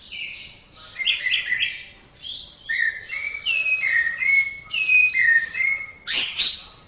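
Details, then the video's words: Series of repeated whistled phrases from an Orange-headed thrush, each a slurred two-note motif, ending in a loud harsh burst. "Masteran Suara Burung Anis Merah"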